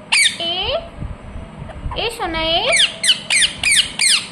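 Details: Ringneck parrot producing a long downward-sliding whistled note, then a swooping, wavering call, followed by four sharp evenly spaced squawks toward the end.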